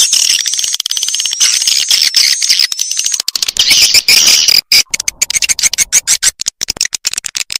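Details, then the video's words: Swiftlet-farming lure sound of edible-nest swiftlets, meant to attract them to bird houses: a steady high buzzing twitter with a faint whistled line, breaking after four seconds into quick separate clicks and chirps. "SUARA BURUNG WALET"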